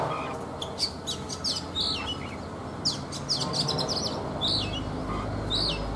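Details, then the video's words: Wild-caught Oriental magpie-robin kept caged three seasons, morning song: groups of sharp high chirps and downward whistled slurs in irregular bursts, with a low rumbling background. "Chòe Than già rừng - 3 mùa lồng hót buổi sáng"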